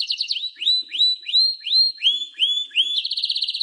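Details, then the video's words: Canary song of rising upslurred whistles repeated about twice per second, bracketed by short quick trills at start and end. "Canary-Canario Singing 2017(Kanarya Ötümü)"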